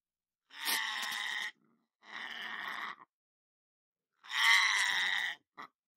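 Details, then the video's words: Pet lorikeet, a talking bird kept indoors and recorded in a kitchen, giving three harsh, raspy screeches of about one second each, separated by short silences, with a brief final chirp. "Parrot Sounds For Birds"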